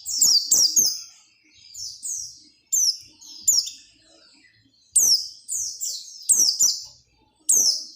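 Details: Persistent oriental white-eye song meant to spur other white-eyes into singing: bursts of high, sweet, downslurred twitters in quick clusters separated by short pauses, with faint low clicks beneath.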